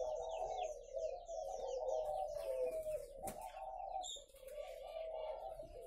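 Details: Farm-kept spotted doves in Ba Vì, Vietnam, produce a thick layer of low repeated coos, overlaid with rapid high twittering from other small birds and a single sharp clack.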